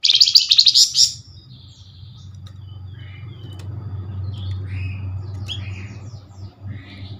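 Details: Flamboyan lure call for drawing replies from others: one loud, rapid, stuttering buzzy burst at the start, then soft scattered chirps over a steady low droning hum.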